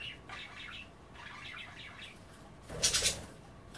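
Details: Budgerigars at bath time, pecking at kale soaking in water without bathing, chatter in rapid rippling notes, then a sudden loud hissing burst of splashing or fluttering near the end.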